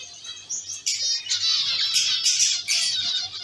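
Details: Zebra finch colony kept in a cage, many birds calling together: dense high nasal chirps and short buzzy notes overlapping throughout, with bursts of louder chatter.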